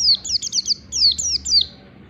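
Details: Pleci riwik, the Oriental white-eye, delivering a lure ngalas phrase: two quick runs of sharp, high, downslurred chirps packed closely together over a steady low hum.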